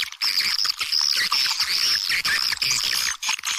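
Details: Swiftlet calls played as a lure sound for swiftlet houses: a dense, buzzy, high chittering that comes in steady pulses, with short gaps between bursts and little other sound.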